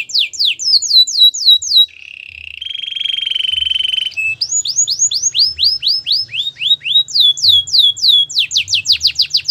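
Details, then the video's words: Gloster canary alternating quick falling whistle series with a steady low buzzing trill, then resuming bright swooping notes that speed into a fast descending run. "Gloster canary singing"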